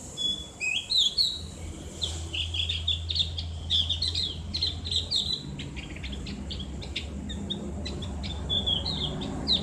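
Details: Javan grey-throated white-eye (cak gentong) giving ngriwik song, a ngeplong sound for bird therapy. Rapid high chirps and slurred whistles tumble together, over a steady low hum in the middle section.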